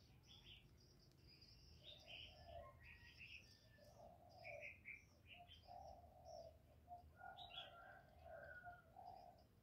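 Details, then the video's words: Spotted dove cooing in the thổ voice, a calling and urging sequence meant to stimulate males. Low, rounded coo phrases run through the recording, mixed with busy high-pitched chirping from other birds. "Cu gáy GỌI+THÚC+GÙ hạp bổi kích trống hiệu quả, Cu Gáy giọng thổ, tiếng cu đất.cườm gáy, cu đất gáy"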